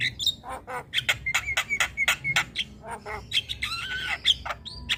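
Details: Javan myna in persistent, noisy song that sets other birds calling: repeated harsh clicking squawks, short whistles and a wavering buzzy phrase near the end.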